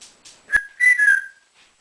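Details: Indoor pet African grey parrot, male, known for mimicking whistles, meows, barks and phrases: one sharp onset note, then a drawn-out whistle gliding slightly downward and fading.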